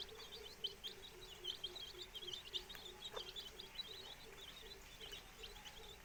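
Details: Four-day-old chicks together with the hen hatching eggs: a steady, rapid series of low clucks repeats beneath a busy layer of high, thin chick peeps.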